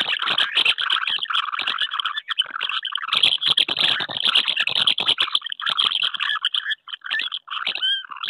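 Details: Common house martins courting at nests on a wooden house in May 2023, pairs disputing nest sites: a dense, continuous chorus of overlapping twittering and chirruping from several birds.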